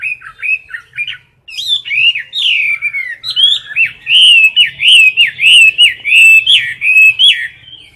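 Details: Loud competition song of a caged Chinese hwamei: after a few opening notes, a fast run of repeated zigzag whistled phrases, about one every second, ringing and piercing.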